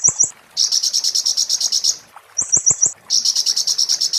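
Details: Oriental white-eye singing in the muntah beling style, kept as a master song for tutoring magpie-robins and shamas: high, rapid buzzy trills of evenly spaced pulses, broken by short stuttering bursts and sharp low clicks, with brief pauses between phrases.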